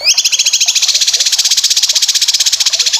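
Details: Cucak kinoy song used as training material for competition birds: a fast, loud, buzzy trill of even repeated notes, about two per second at first then quickening, held through the whole stretch after a brief rising opening.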